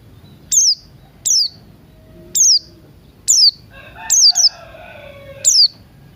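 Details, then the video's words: Buxton's white-eye morning ngalas song: repeated high, descending piercing chips roughly every second, while a second bird adds lower, longer warbled phrases in the middle. "Pleci Buxtoni Ngalas Pagi Hari"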